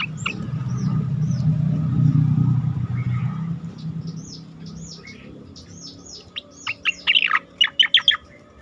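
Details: Asian pied starling song for training competition birds: faint high whistles over a rumbling vehicle-like noise, then a clear closing run of sharp down-slurred notes.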